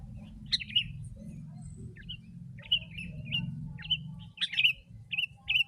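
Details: Very chatty sooty-headed bulbul singing to lure wild birds: scattered short, liquid slurred phrases, some with sharp clicky starts, irregularly spaced, with a steady low hum beneath.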